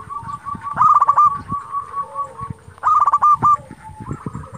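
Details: Local zebra dove (perkutut) calling to stir rival doves to answer: two loud bursts of fast rolling coos, each followed by softer drawn-out notes, with a quieter lower dove voice and low background rumble.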